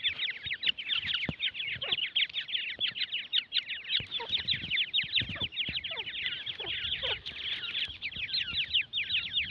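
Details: A brood of Dakhni teetar chicks keeps up a busy chorus of shrill, quick chirps, overlapping without pause, with occasional lower slurred notes and faint background clicks.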